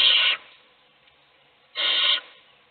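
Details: Owl feeding one of its chicks while the other chicks sleep; two long, harsh, breathy hissing screeches, each under half a second, separated by about a second and a half of quiet.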